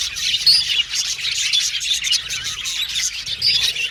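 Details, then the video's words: Pet budgerigars chirping in a lively group, overlapping high tweets and warbling chatter, with a few clear whistled notes rising above the flock noise. "Budgies Chirping Sound"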